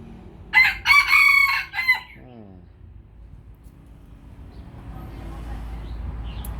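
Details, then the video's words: Lao rooster giving a strong crow near the start: a broken, buzzy run of bursts for about one and a half seconds, ending in a brief descending note. Low steady background noise follows, slowly rising toward the end. "ໄກ່ລາວຂັນເກັ່ງໆ. ไก่ลาวขันเก่งๆ"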